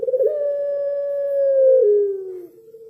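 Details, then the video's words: Long drawn-out coo of a puter pelung (Barbary dove). The mid-pitched note is held steady for nearly two seconds, then steps down and tapers into a softer, lower tail. "Suara Burung Puter Pelung"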